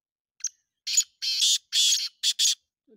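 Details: Black francolin (kala teetar) giving one full harsh call: a thin sharp opening note, then two long rasping, buzzy bursts and a closing quick pair of grating notes. A short low sound comes at the very end.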